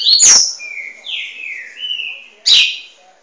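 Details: Double-collared seedeater song for training: loud clicking notes open a string of slurred whistles that drop and level off, followed by another sharp burst of high notes.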